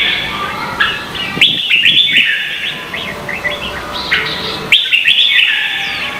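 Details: Red-whiskered bulbuls from Vietnam singing in contest style, a decoy recording used to train and rouse other bulbuls. Dense, overlapping whistled and warbled phrases sit high and bright, with loud bursts near the start and again later, over a steady background hiss.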